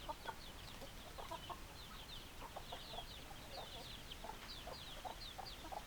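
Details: Chickens: short low clucks in irregular clusters, with many high, thin, descending peeping notes repeated throughout over a steady background hiss.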